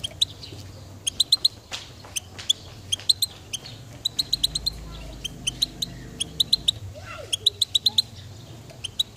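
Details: Goldfinch giving bright, clipped chip notes in quick clusters of two to five, repeated throughout with short gaps; a faint low hum runs underneath.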